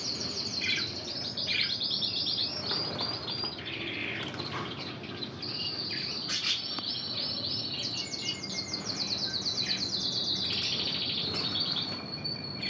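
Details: Intense red canary with Spanish Timbrado song training, performing long bubbling trills and rapid repeated metallic notes, shifting between tours, against a persistent hiss.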